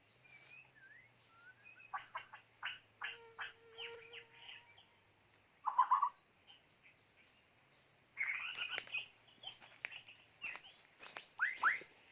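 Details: White-rumped shama decoy bird mixing staccato clicking notes, a short whistle and rough, rattling chatters in a lively, uneven song over a low background hum.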